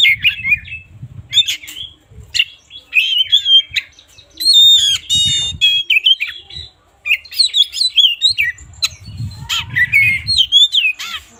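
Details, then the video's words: Morning song of an oriental magpie-robin, played to rouse magpie-robins that sing little: loud, rich phrases of whistles, warbles and sweeping notes, with a harsh chattering burst mid-way and brief pauses. "suara burung kacer gak ada ahlak"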